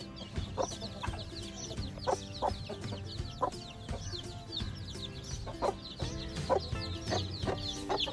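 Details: Week-old chicks and their mother hen foraging and dust bathing at a farm in Sialkot, Pakistan; spaced low clucks sound amid a constant stream of high descending cheeps from the chicks, with music underneath.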